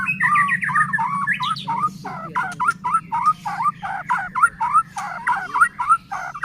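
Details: Vigorously singing white-rumped shama, played to goad other shamas into singing: dense run of harsh, chattering mid-pitched notes repeated about three per second, with scratchy squawk-like elements and low background hum.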